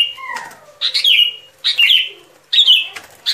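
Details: Sooty-headed bulbul lure song for trapping: three clear, loud whistled phrases, each a falling slurred note, spaced roughly every three quarters of a second, preceded by a softer descending whistle.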